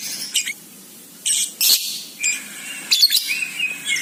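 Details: Lovebird meant to draw other lovebirds into calling: separate short, shrill, harsh chirps, a few sharp squeaky notes scattered over four seconds, with quiet gaps between.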